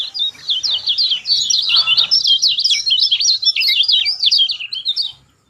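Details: Lemon-bellied white-eye singing to coax a silent bird into song: one continuous, fast, high-pitched warble of tightly packed zigzag notes lasting about five seconds, then fading out.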